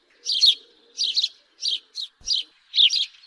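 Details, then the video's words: Loud, slightly harsh house sparrow chirps in short clusters, about six bursts in three seconds, with a brief knock partway through. "Sparrow bird call-صوت عصفور الدوري"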